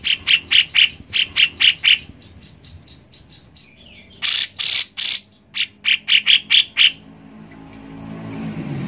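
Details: Cucak jenggot, grey-cheeked bulbul, singing loud, clear notes repeated in quick series, each run of sharp bright calls broken by short pauses, with a harsher burst of rasping notes midway, played to prompt a reluctant bird to sing.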